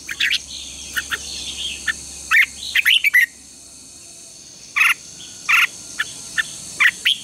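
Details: Red-whiskered bulbul lure song used to train contest birds in the morning, short whistled chirps spaced irregularly, a busier warbled run midway, over a faint high hum and low background noise.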